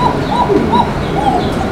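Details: Female Bashiraj domestic pigeon, red, one of a breeding pair, coming into lay, gives short, thin, fairly high coos over a steady noisy background.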